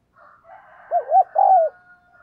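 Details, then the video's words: Caged decoy spotted dove giving a provoking coo: a soft low murmur leads into two brief rounded notes and one longer, gently falling coo, over a faint steady hum. "Chim Cu Mồi Gù Thúc Bổi Nghe Hăng Nên Và Rất Siêng Gáy"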